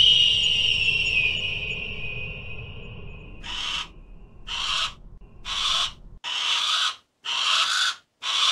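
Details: Harris's hawk: a long, drawn-out falling whistled tone gives way to six harsh, rasping squawks at about one-second intervals.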